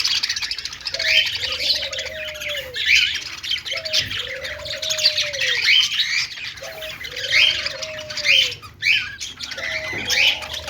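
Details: Budgies, several together, making happy chirping: dense scratchy chatter and warbles fill the clip, with a recurring lower whistled note that rises, holds, then drops, heard about every two seconds.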